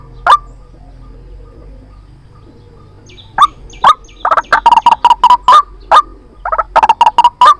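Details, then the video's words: White-breasted waterhen calling as a lure for trapping, with a few isolated harsh notes after a quiet stretch, then a fast, stuttering series of short croaks. "Tiếng chim quốc Mồi chuẩn dùng để bẫy"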